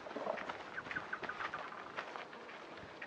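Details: Chotoy spinetail song: a quick run of about six clipped, evenly spaced notes delivered in under a second, set against steady broadband background noise with a few scattered louder clicks.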